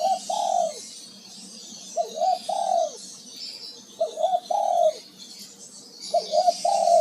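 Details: Male spotted dove calling: low mellow coos in phrases of a short note followed by a longer drawn-out coo, repeated about every two seconds, with a faint insect-like hiss high above.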